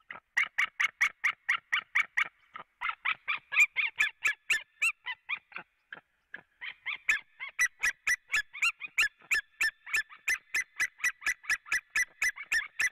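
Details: White-tailed eagle pair at a Latvian nest on 4 March 2017 around 16:30, calling from afar and then both arriving: long runs of sharp yelping notes, about three per second, and a second bird joins in a rapid duet.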